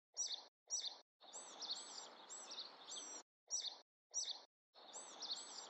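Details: Bewick's wren singing: short bursts of high, buzzy, trilled phrases, several notes sliding down, repeated in quick succession with brief silent gaps, and a soft hiss beneath each phrase.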